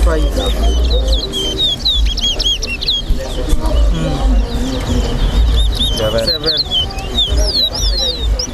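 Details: Caged towa towa (chestnut-bellied seed finch) singing in a head-to-head race at Lusignan bird ground, Guyana: rapid bright whistled notes, arching up and down, run throughout over crowd chatter, clucking and low background rumble.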